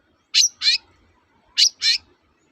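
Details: Long-tailed shrike used as a lure to make reluctant birds sing: two pairs of harsh, rasping notes about a second apart, each note short and scratchy, against a quiet background.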